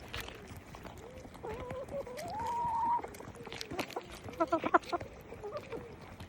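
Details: Chickens calling. One drawn-out note rises steadily and holds high for about a second. Shorter tonal notes come before it, and a burst of rapid clucks follows.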